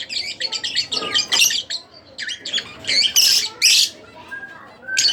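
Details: Split Blue Fischer's lovebird kept as a pet, chirping busily: quick strings of high squeaky notes, then louder harsh screechy bursts with short gaps.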